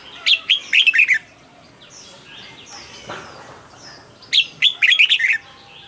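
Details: Caged red-whiskered bulbul song, played to make other birds lively: two bursts of bright, quick chirping notes about four seconds apart, each a run of short, clipped, rising and falling whistles. Faint soft notes fill the pause between.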